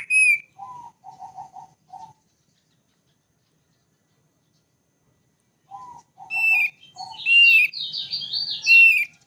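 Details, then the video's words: Thick-billed white-eye, endemic to Sumbawa and Flores: short runs of low, quick, chattered notes separated by a long pause, ending in a jumbled high warbling phrase. "Opior Paruh Tebal Burung Paling Merdu Dari Burung Burung Yang Lain"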